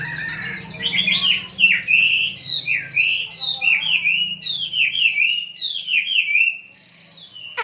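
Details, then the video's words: Tembakan singing by a kapas lovebird, a fast string of short descending twittered notes repeated for about six seconds, then quiet with a faint hum. "Tembakan Love Bird Kapas Tembak"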